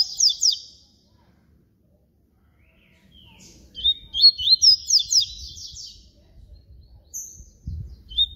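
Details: Yellow-bellied seedeater (papa-capim baiano) singing in the flute style: a quick pair of high whistled slurs, a pause, then a longer run of rapid sweeping, chirping notes, with faint low rumbling behind.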